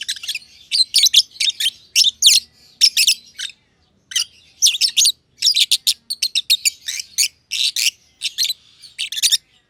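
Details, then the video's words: A pair of lovebirds, green personata and green pied personata, chatter in their aviary with long, busy runs of sharp, high, scratchy chirps, pausing briefly midway before continuing. "Lovebird Chirping Sounds - Green Personata & Green Pied Personata"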